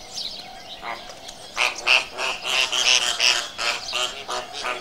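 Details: Flamingo calls: a run of harsh, nasal, goose-like honks with ringing overtones, repeated about three times per second and partly overlapping, over a soft steady hiss.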